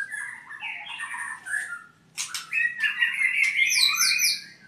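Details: Albino white-rumped shama from Purwokerto singing a varied phrase of chattering, slurred notes, a short pause, then a rich run of rising whistles and high ringing trills.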